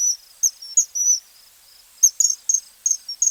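Common Kingfisher giving sharp, very high piping whistles, single or in quick pairs, in two bursts separated by a brief pause.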